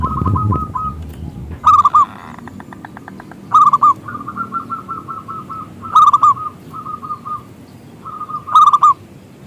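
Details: Big-voiced local zebra dove singing as a lure to draw other doves into song: bursts of rapid rolling coos alternate with evenly spaced runs of short, mellow notes, with brief pauses and quiet background hiss.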